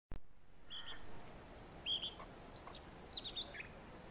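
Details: A male oriental magpie-robin gives short, varied whistled notes and high, sweet chirps in a quick irregular phrase, over a steady low background rumble.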